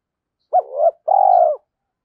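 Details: Decoy spotted dove singing to incite fighting, trained daily; one clean low phrase: a short rising note bending down, then a long, tremulous rolling coo.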